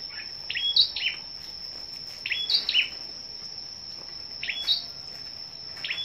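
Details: Scarlet-backed flowerpeckers singing competitively in a morning gathering, 10 May: clusters of thin, piercing, high chirps with quick downward slurs, in groups of two or three about every two seconds, over a constant high-pitched whine.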